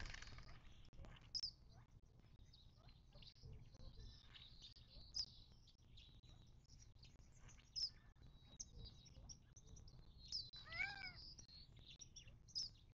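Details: A chorus of desert birds at a watering hole in southern California's western Mojave Desert, 19 March 2024: sharp high notes repeated every two to three seconds amid steady twittering, plus one arched harmonic call.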